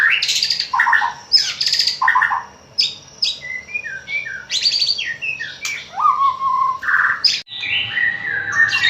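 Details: White-rumped shama song used as a lure to prompt other shamas to sing, meant for morning and afternoon: loud varied phrases of rich whistles, rising and falling slurred notes, and harsh buzzy bursts in quick succession, with short pauses between phrases.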